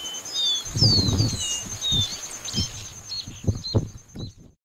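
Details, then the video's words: Dark-throated seedeater (Sporophila ruficollis) voice: thin, high whistled notes, several sliding downward, over a steady high ringing tone and low thumps from wind or handling. "Capuchino garganta café (Sporophila ruficollis) VOCES"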